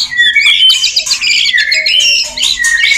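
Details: Courting male white-rumped shama in a dense burst of warbled whistles, quick trills and scratchy notes, sung without pause.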